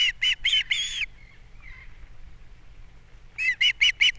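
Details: ['Wild osprey pair at a nest on Captiva on 3 April 2022, at breakfast time as the male brings fish and the female feeds chicks: four sharp whistled chirps in quick succession, a faint thin note, then another burst of four chirps.']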